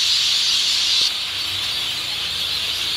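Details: Large flock of rainbow lorikeets gathering to roost in a tree in downtown Port Douglas at sunset: a dense wall of shrill, continuous screeching, easing slightly after the first second.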